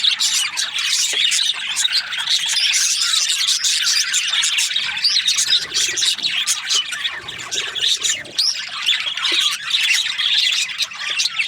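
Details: Budgerigars in breeding pairs keep up steady, overlapping chirping and squawking, a thick high-pitched flock chatter with sharp clicks scattered through.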